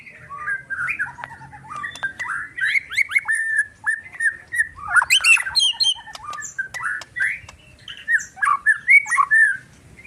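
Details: Agitated white-rumped shama in full song: continuous rapid run of varied whistles, chips and slurred notes, loud bursts roughly every half second, with some sharp high clicks mixed in and faint low hum beneath.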